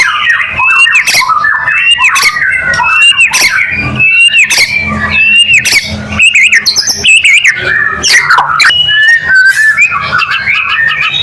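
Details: Lure song of a white-rumped shama, used to trigger other shamas into song: loud, varied phrases of looping whistles mixed with harsh, scratchy bursts and rapid trills, delivered almost without pause over a long stretch.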